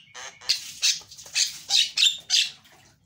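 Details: Javan myna in loud, chattering song used to lure a silent myna into singing: a run of six harsh, hissing bursts, each about a quarter second long, delivered in quick, uneven succession.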